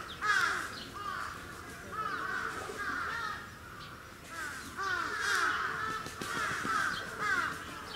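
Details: Captive Sarus cranes, Gunma Safari Park bird park, Japan, 10 November 2018, calling in bouts of rapid, curved trumpet notes, several birds overlapping, with brief quieter gaps between loud surges.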